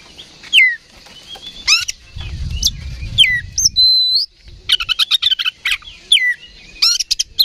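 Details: Provoked oriental magpie-robin singing aggressively. Clear slurred whistles and harsh bursts, with a low rumbling noise in the background, then a rapid run of stuttering buzzy notes and sharp squeaks.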